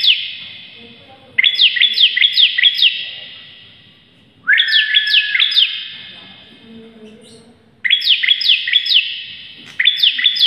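Bar-winged prinia singing loud, rapid bursts of high, bouncing notes, each burst lasting about a second and a half and repeated every few seconds.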